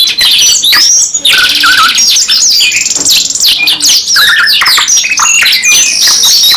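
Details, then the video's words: Singing canaries in a long-running performance, a dense weave of rapid rattling trills, thin whistled glides and brief lower warbled notes, continuous and loud from start to finish. "KENARI 2 IN 1 GACOR NEMBAK PANJANG | CANARY SINGING"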